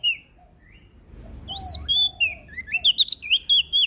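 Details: Lombok prinia in full song, said to agitate other birds. Scattered thin whistles lead into a rapid sequence of loud, high, swooping notes repeated in quick succession.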